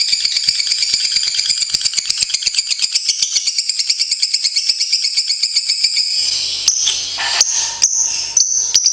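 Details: Lovebird on a long-duration training recording used to teach other birds, giving about six seconds of rapid, pulsed, high chattering, roughly seven notes a second, followed by scattered clicks and broken noise.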